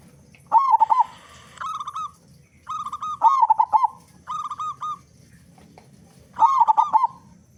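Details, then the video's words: Loud-voiced local zebra dove in full song, a recording meant to lure other doves into singing quickly. Phrases of steady cooing notes alternate with louder bursts of trilled, wavering coos, several phrases close together. "Perkutut Lokal Gacor Suara Besar Pancingan Burung Perkutut Agar Cepat Bunyi"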